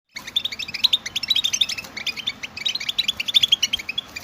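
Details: European goldfinch stimulation song, a group chirping recording used to make males sing without pause: rapid twittering notes and short trills, repeated in quick bursts with brief gaps, over faint low background hiss.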